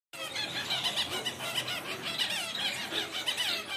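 Masked grassfinch song: a dense run of thin, high squeaky notes and wavering chirps, rapid and continuous, perhaps with several finches chattering together.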